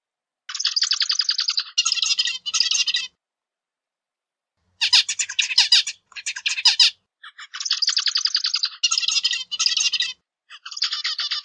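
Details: Repeated zebra finch song motifs: a pulsed nasal rasp runs into blocky, harsh buzzy syllables, then a long silence before the same sequence returns several times. No background noise.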